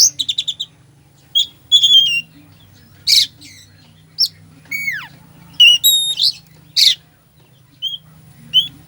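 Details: Oriental magpie-robin full fill-in song for provoking slow birds: opens with a rapid four-note stutter, then spaced whistles, a long falling slur, rasping bursts and brief chirps with short silences between.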